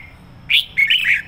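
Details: Sổ bọng song of a decoy red-whiskered bulbul, sung with intensity: a loud, sharp upward chirp, then a short run of fluty, warbling notes sliding down in pitch, all within about a second.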